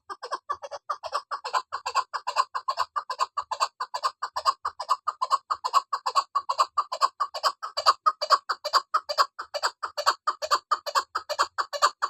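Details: A female chukar partridge gives a long unbroken run of rapid, harsh chuck notes, more than two per second, evenly paced and loud throughout.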